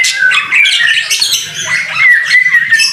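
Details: Brief burst of white-rumped shama song in the rain, a masteran training recording: loud mixed whistles and harsh squeaks with a clear falling whistle near the end, over a soft low rumble.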